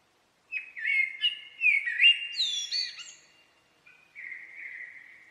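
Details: A single common blackbird phrase: warbling fluty notes rising and falling, a high scratchy twitter near the middle, then a softer sustained whistled tail fading out.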